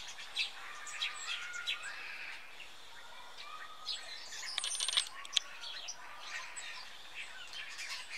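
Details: Autumn flock of starlings, about twenty, massing in high firs in Denmark before flying south; chattering clicks, squeaks and short whistles, with a burst of wingbeats midway.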